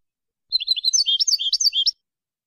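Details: European goldfinch song in the copia malaga style, from an edited recording used to teach young birds to sing: a short burst of about one and a half seconds of rapid, high, tinkling twitters rising and dipping, with a clean, quiet background.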